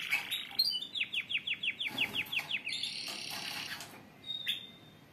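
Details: Group of canaries singing to encourage others: a run of about ten quick descending chip notes, then overlapping rolling trills and a brief high whistle.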